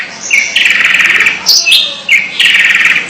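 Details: Long-tailed shrike producing unusual calls: two long buzzy, rattling harsh phrases separated by a brief squeaky note.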